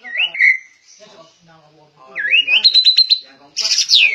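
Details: Caged, well-trained white-rumped shama, said to be rare, giving loud clear whistles: an upward-curling opening note, a rising whistle into a fast repeated trill, then a high, bright falling flourish.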